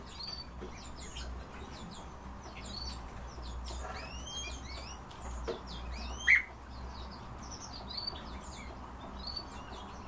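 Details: Himalayan bulbul (Pycnonotus leucogenys) giving short slurred chirps that rise and fall in quick bursts, mixed with other small twittering notes, a sharp click just past six seconds and a steady low rumble beneath.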